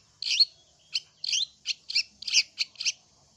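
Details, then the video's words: Long-tailed shrike gives a run of eight harsh, scratchy chattering notes, high-pitched and spaced about every third of a second, with no other sounds. "Cendet mana YANG GAK NYAUT dan IKUT GACOR dengan suara cendet ini, PASTI NYAUT !!!"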